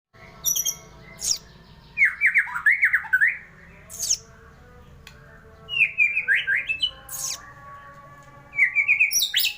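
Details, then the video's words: Magpie-robin singing: bursts of quick warbled, slurred phrases that rise and fall, separated by pauses, with sharp high chattering notes breaking in between phrases. "kicau burung murai"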